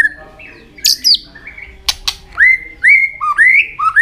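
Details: White-rumped shama singing while flicking its tail, used to rouse young birds; clear whistled phrases with rising slurs, a few harsh high notes, then a run of upswept whistles repeated about every half second.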